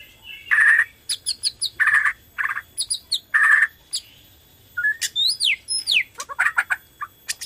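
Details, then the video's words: White-rumped shama of the Borneo type used as a lure to stimulate other shamas to sing; repeated harsh buzzy bursts alternate with sharp chips, then clear rising and falling whistles and quick twitters follow. "PANCINGAN BORNEO GACOR SANGAT AMPUH UNTUK MERANGSANG BUNYI MURAI BATU LAIN"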